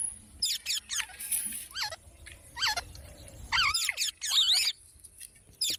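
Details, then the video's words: Parrot giving a series of short squeaky calls with bending, wavering pitch, some rising and falling in quick loops, spaced irregularly through several seconds over low room hum. "Parrot Sounds"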